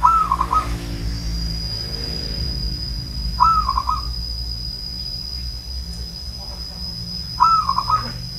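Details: Elderly zebra dove from Banyumas repeating its short bubbling trilled coo three times at about four-second intervals, with a faint voice, low rumble and steady high whine behind.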